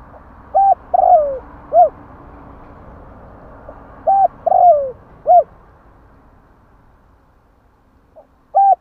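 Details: Spotted dove song, used to quickly rouse caged doves into singing. Two full phrases of short coo, long falling throaty coo and short coo, then the start of a third, over a steady hiss and low noise.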